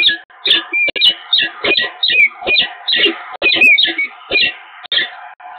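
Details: Peregrine falcons meeting at the nest on the Evoluon building, Eindhoven, in early March 2022, giving rapid, rasping chitters with a few thin whined notes mixed in, almost continuous, over a low hum.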